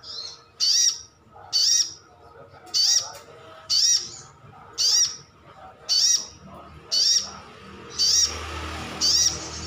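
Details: Caged sunbird calling in wild style, a call used to prompt other birds to answer: short, high, sharp slurred bursts repeated steadily about every 1.1 seconds, nine in a row, with faint background noise rising near the end.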